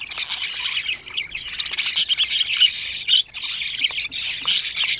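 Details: Young budgerigars on their 25th day keep up a busy, scratchy chorus. Rasping squawks and chirps overlap, swell louder in the second half and break off briefly twice.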